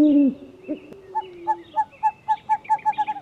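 An owl gives a low hoot, then a run of short, mid-pitched notes that quicken toward the end, roughly four per second.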